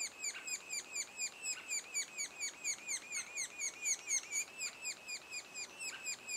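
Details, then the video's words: Repeated harsh chirps pour from a sapsucker nest two days ahead of fledging, about two notes per second, arched and buzzy with high overtones, slightly uneven in loudness. "Sapsucker nest"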